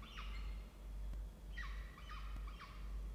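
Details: Peregrine falcons at a water-tower nest box in Orange, New South Wales, Australia: one short harsh call, then three evenly spaced downward-slurred rasping notes about half a second apart, over a low steady hum.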